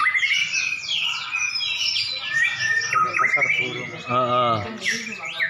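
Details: White-rumped shamas, two champion birds brought together to duel, pour out fast whistled phrases and quick downward sweeps, with a short harsh buzzy burst near the end.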